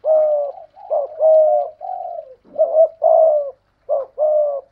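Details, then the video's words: Spotted dove decoy with a 'thổ pha thúc' voice, bowing and cooing against a wild dove: close, loud, hoarse coos in quick succession, some notes clipped short and others drawn out and gently falling. "cu gáy giọng thổ pha thúc GÙ đấu với bổi, tiếng gáy bổi nghe rất ghét và gáy theo hiệu quả"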